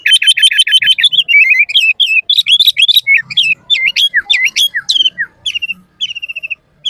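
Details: Sooty-headed bulbul singing gacor full isian for masteran and luring: a rapid rattling start, then varied whistled slurs and sharp up-and-down notes, slowing into separate, evenly spaced chirps toward the close.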